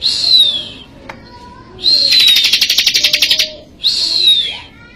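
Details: High, slurred whistle from a vigorously singing bar-winged prinia, Majalengka, recorded as tutor song, followed by a strident pulsed buzzing trill and another descending whistle, with faint lower notes in the background.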